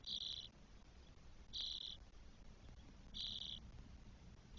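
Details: Spotless starling chicks, four of them, twelve days old in their nest in Spain, 1 June 2022, repeating rough hissing calls about every one and a half seconds.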